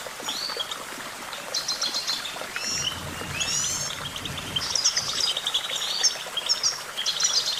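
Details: Goldfinch song of rapid, high chattering phrases and brief buzzy trills, broken into bursts, with a low background hum in the middle.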